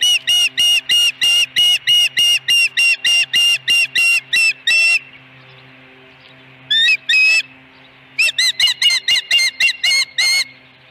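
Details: Osprey at the nest with a live fish on 26 May 2020: a fast run of shrill whistled chirps, then a quiet gap broken by a pair of notes, and another burst of chirps.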